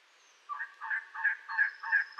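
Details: Elegant trogon, a bird of Arizona's canyon sycamore and oak forests, calling a steady run of five or six harsh, throaty croaks spaced about a third of a second apart after a brief quiet start; a faint high whistle sounds behind.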